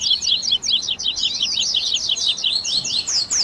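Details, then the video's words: Double-collared seedeater song in a 'baderna' of styles such as grego, viviti and flauteado, used to train captive birds: an unbroken, loud stream of fast high chirps, evenly dense throughout. "ESQUENTE SEU COLEIRO Áudio de Baderna"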